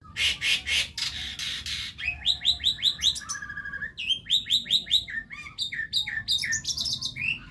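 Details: Young Javan myna with white eyes rehearsing song: harsh rattling bursts, then runs of five or six quick upslurred whistles repeated, ending in squeaky high notes.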